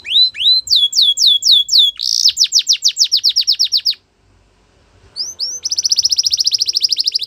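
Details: Belgian canary: repeated curved whistles, then a fast series of downward sweeps, a brief silence, and a long, rapid, steady trill of high notes.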